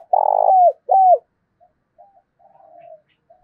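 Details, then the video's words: Spotted dove, a male urging another male to fight, cooing in the local 'giọng thổ đồng' voice style: a long buzzy low coo ending in a downslur, a shorter arched coo, then faint soft trailing notes; otherwise quiet. "cu gay kich boi nhanh noi gù"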